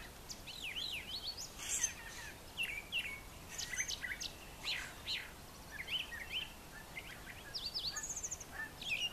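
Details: A brown thrasher sings in the morning on a farm yard kept brushy for nesting; sharp downslurred and rising notes in grouped phrases, pauses between bursts, light ambient noise.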